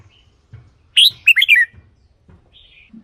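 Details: Red-whiskered bulbul kept in a cage, its voice used as a decoy or to stir other birds: a single loud, liquid phrase of a few quick chirped notes, then a soft faint whistle.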